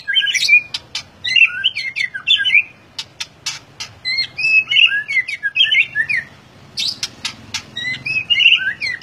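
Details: White-rumped shama singing a long varied sequence of liquid whistles and sharp ticking notes, with a faint low hum underneath.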